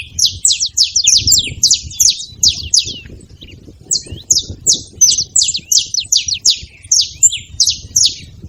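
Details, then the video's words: Group of saffron finches chattering at a feeding spot with dense bursts of high, metallic chirps, roughly three a second, a short lull, then more overlapping chirps. "Canarinhos fazendo barulho na seva"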